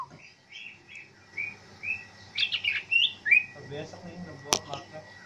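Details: Captive greater green leafbird, kept five years, being trained in an open-air setting in the afternoon, sings quick, bright whistled and chirping phrases, some rising, over a thin steady tone; a person murmurs briefly and a sharp click sounds near the end.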